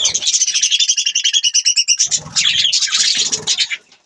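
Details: Budgies chirping and chattering: a fast run of evenly pulsed high chirps, about eight per second, for two seconds, then a denser scratchy warble of overlapping high notes that fades out at the end.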